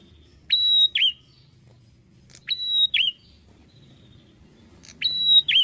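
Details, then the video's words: Clear, high whistled song of a bar-winged prinia: three phrases, each a steady whistle ending in a brief downward-then-rising twist, separated by quiet gaps over faint low noise. "PRENJAK ATAS"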